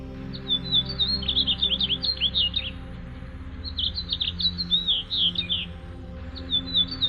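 House Finch twitters in rapid, jumbled bursts of high chirps and slurred notes, pausing after about three seconds, with soft music humming underneath.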